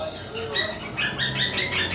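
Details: A pet monk (quaker) parakeet at Halloween gives a run of harsh, buzzy squawks in quick succession after a brief voice.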